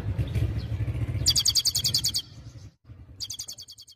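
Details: European goldfinch singing: a fast trill of bright high notes, about fourteen per second, for roughly a second, a pause, then a second shorter burst, over loud low rumbling of a motorcycle engine that fades midway.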